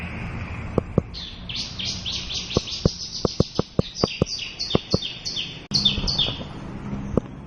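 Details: Local Javan bush lark singing its full repertoire, a rapid chain of high sweeping notes lasting several seconds, accompanied by repeated sharp tapping clicks.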